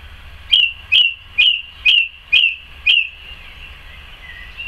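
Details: Song thrush singing in a garden on 12 May 2014: one clear whistled note with a sharp attack, repeated six times about every half second, then silence with faint background hum.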